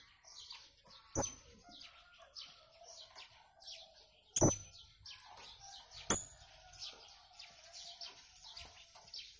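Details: Blue-crowned hanging parrot in busy song: soft, high chirping notes repeated irregularly, broken by three sharp loud knocks or clicks, with a quiet background.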